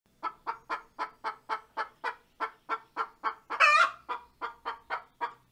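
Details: A hen gives her laying song after laying an egg: about four even clucks each second, then one loud, harsh, drawn-out squawk midway, then steady clucking again. No other sound.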